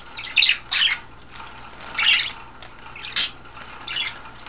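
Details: Bathing pet budgerigars, females in a group of five caged birds, recorded 9 February 2012; sharp scratchy squawks and chirps in separated bursts, about five over a few seconds, with steady low hum.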